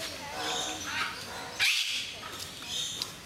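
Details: Eclectus parrots in Mysore Zoo give harsh, grating screeches, with one sharp rising squawk standing out midway, over an echoing hall with faint background voices.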